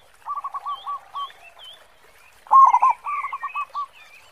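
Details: Zebra dove of the local type, valued for its big 'khong' voice as a lure: a soft run of ticking coos, then a louder rolled phrase and a trailing series, with high bird twitters behind.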